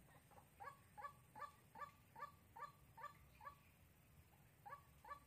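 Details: Lure white-breasted waterhen for trapping, Sóc Trăng, Vietnam, 2 February 2021. Short honking notes repeated at a steady pace roughly every 0.4 seconds, a brief pause near the end, then resuming, over low background rumble.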